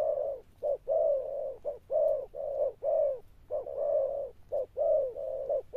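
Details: Spotted dove, a wild-caught bird, giving Sấm Thổ style coos. Dense runs of deep, hollow notes mix brief clipped coos with longer rounded ones in a quick, nearly continuous sequence.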